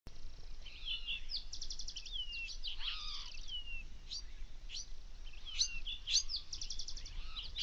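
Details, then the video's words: Say's phoebe singing on a desert morning: thin, down-slurred whistled notes repeat over a few seconds, mixed with rapid buzzy trills and chips from other birds, likely the Bewick's wren and spotted towhee, over a low background rumble. "Deserts temperate morning songbird Says Phoebe"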